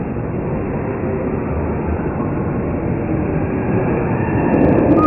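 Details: A steady, loud mechanical rumble like a passing train or vehicle fills the recording, with no animal calls.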